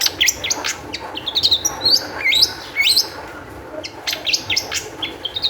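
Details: High-spirited Long-tailed shrike singing as a lure for other shrikes: a busy jumble of piercing whistles, quick downslurred chips and scratchy notes, about two per second, with a faint hiss behind.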